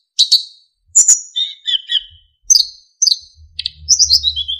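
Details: Sikatan emas, or narcissus flycatcher, sings for use in training songbirds: crisp, well-spaced high chirps and downslurred whistles, ending in a quick cascade of falling notes over a faint low hum.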